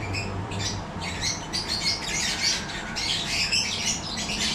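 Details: Yellow-collared lovebirds in a breeding setup; overlapping shrill squawks and chattering from several captive birds, rising and falling in loudness, with a low hum at the start.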